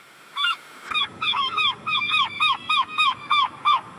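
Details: A gull at a dockside gives a fast series of harsh, down-slurred cries, about three per second, over a soft wash of waves and background noise.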